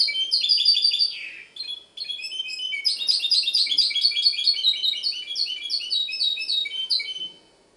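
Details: Goldfinch hybrid (mixto jilguero) from Ksar el Kebir, Morocco, singing a rapid twittering song of bright trills and metallic notes, with a descending slur near the start, dense chattering phrases after a short pause, and faint background hum.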